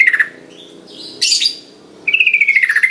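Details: Sooty-headed bulbul lure sound meant to get reluctant birds singing: a brief pulsed note, a harsh broadband burst, then a rapid rattling run of bright notes slowly dropping in pitch.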